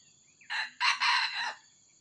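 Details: Red junglefowl crowing during decoy trapping: a rough, harmonic crow of a short note followed by a long sustained phrase, slightly distant and muffled, with steady insect buzz and faint low background noise.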